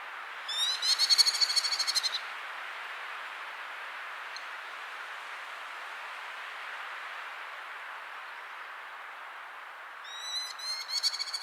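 A Merlin gives two bursts of fast, shrill, chattering notes, each lasting over a second, against a steady hiss of wind or distant water.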